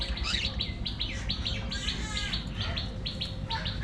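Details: A colony of aviary budgerigars chatters nonstop, rapid overlapping chirps and short warbled notes running together in a dense, busy stream, with steady low background rumble.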